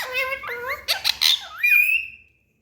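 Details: Parrot in a small room giving a brief speech-like phrase of wavering harmonic tones, then a squawk and a long whistled note that fades to silence.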